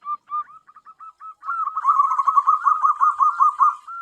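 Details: Tame local zebra dove used as a lure: several separate, spaced coos speed up into a dense, rolling, trilled run of rapid notes before a final single coo.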